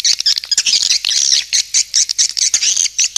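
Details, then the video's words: Swiftlet lure call: rapid high chirps and squawky twitters, clipped and repeated in quick bursts with brief gaps between them. "SUARA PANGGIL BURUNG WALET"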